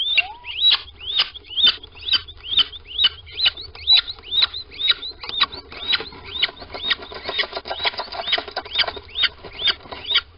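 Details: At a nest box in Sprundel, 13 February 2020, a little owl squeaks after two owls arrive in the morning. A rapid run of high, hooked chirps, roughly two per second, blurs into busier squeaking toward the end.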